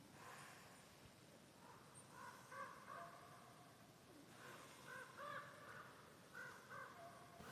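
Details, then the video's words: Unseen common ravens from a family that has nested near an off-grid homestead in Norway for years, heard in autumn: distant hoarse croaks in three short bursts of a few notes each, over a steady wind hiss. "so the Ravens are with us you can hear them but I don't think it's possible to see them at the camera here"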